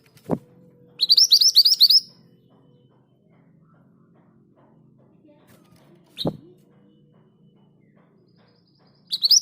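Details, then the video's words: Mountain scarlet minivet, a vocal bird kept housed together with others, gives a rapid one-second burst of high, sharply rising whistled notes in the 'ngerol' rolling style. Two dull thumps break otherwise quiet surroundings, and another burst begins at the end. "Suara ngerol dengan speed yang pas. MANTENAN GACOR"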